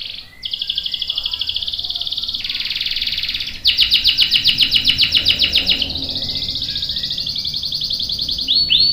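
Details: Canary long-roll song for training young and adult canaries: sustained buzzy rolls shifting pitch, a fast high rattling section, then another steady trilled roll.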